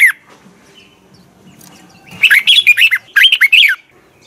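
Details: Red-whiskered bulbul singing a morning training song in the double twisted voice style, recorded in 2020 for training birds: one short note, a pause, then two bursts of quick, chattering whistled notes.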